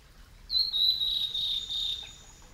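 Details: A male blue-and-white flycatcher, a summer visitor at Yamada Green Park in Kitakyushu, Fukuoka, Japan, recorded with Sony Betacam gear over ten years ago. A single sustained high whistle, wavering and slowly falling, lasts about one and a half seconds.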